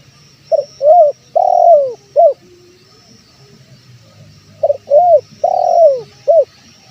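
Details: Male spotted dove's calling phrase, played to lure wild doves: stuttered opening, a round coo, a long coo gliding down, and a short closing coo, heard twice with a pause, over a thin high insect hum.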